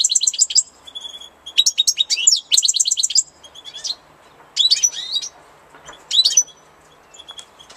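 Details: European goldfinch in spring giving lively, liquid twittering song: quick runs of high, metallic chirps and buzzy trills in four or five short bursts, with a few scattered single notes between phrases.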